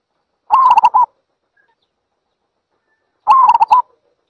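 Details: A zebra dove utters two rapid trilled coo phrases, each a half-second run of quavering notes with a separate final note, spaced nearly three seconds apart in silence.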